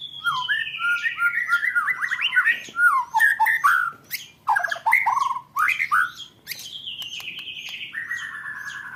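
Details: White-rumped shama song in the 'roll tembak' style, a training recording for contest birds: long sliding whistles falling in pitch, then dense bursts of rapid warbled and chattered notes, ending in a drawn-out descending whistle.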